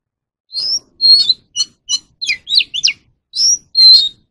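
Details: Captive-bird voice-training recording of an Oriental magpie-robin singing: clear whistled notes and quick slurred twists, a pause, then two long bright whistles, heard in a quiet setting.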